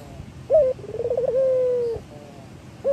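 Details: Male local Barbary dove in lively song, used to stimulate other doves to call: a short low coo, then a rolling, wavering phrase that flows into a long, steady drawn-out coo, with the next coo starting at the end.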